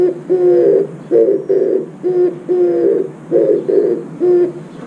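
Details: Oriental turtle dove singing at a window feeder after visiting it: low, grainy cooing notes in a steady repeated rhythm, about two phrases a second, loud and close.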